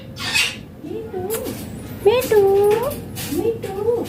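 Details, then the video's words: Indian Green Ringneck parrot making soft, wavering speech-like mutters. A louder, steady drawn-out syllable comes around the middle, after an opening rasp. "Indian Green Ringneck Parrot talking natural sounds/voices clear"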